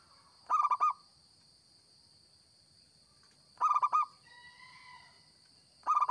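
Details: Three cooing phrases from a local zebra dove kept to lure birds, each a rapid run of five mellow, bubbling notes about three seconds apart; a faint wavering tone sounds between phrases, with constant high-pitched hum behind.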